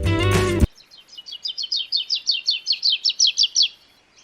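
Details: Sri Lanka White-eye, a highland endemic that forages in active flocks in the forest canopy, calling; a fast series of about fifteen high, thin, slurred notes, roughly four per second, after a brief burst of music.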